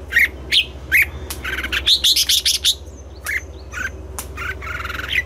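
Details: Red-whiskered bulbul singing in the morning, a song style called mature wild double-note; quick bright chirps and short warbled bursts follow one another rapidly and unevenly, with brief thin whistles between them and a steady low hum underneath.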